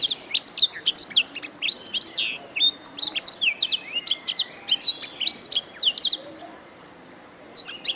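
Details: Canary master training song: a continuous stream of sharp high chirps and short trills lasting about six seconds, a brief silence, then the song resumes.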